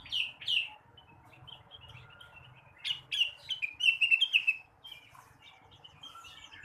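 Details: Blue-winged leafbird song in the morning, used to stir untrained birds into singing: two bright chirps, scattered quiet twitters, then a lively burst of quick whistled and slurred notes running down in pitch.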